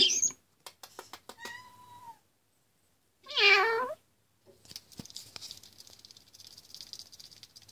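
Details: Common starling mimicking a cat's "meow" indoors: a single wavering, nasal meow-like note near the middle, preceded by clicks and a thin whistle, followed by rustling noise.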